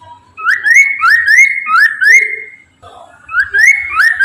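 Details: A Chinese hwamei's song, used as a lure for other hwameis. Fast series of rising, clear whistles, the last held slightly longer, then a soft pause and another whistled run.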